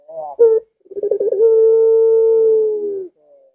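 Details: Pelung-style coo of a collared dove, said to make other doves eager to call. A brief opening note, a stuttering wavering onset, then one long even low tone held about two seconds before fading.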